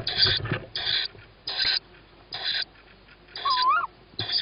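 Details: Tawny owl chick at a feeding, 21 May 2017 at 21:38, where a sibling on the roof gets the first food; harsh hissing screeches repeated about every second, with a single whistled birdsong note near the end.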